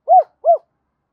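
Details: Two rounded, arched coos from a spotted dove, its double-voiced call used to train decoys, evenly spaced with silence after.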